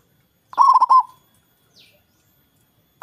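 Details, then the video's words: Local zebra dove, a loud singer said to lure rivals into calling, gives one burst of quick, bubbly cooing notes, followed by quiet and a brief faint chirp before the next phrase begins. "Perkutut Lokal gacor suara besar| Ampuh Memancing Lawan ikut bunyi"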